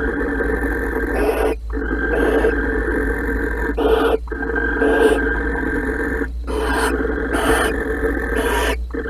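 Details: Barn owls mating in a nest box at Holten on 16 March 2020: a steady hoarse, wheezy rasp runs throughout, broken by harsher hissing bursts roughly every one to two seconds.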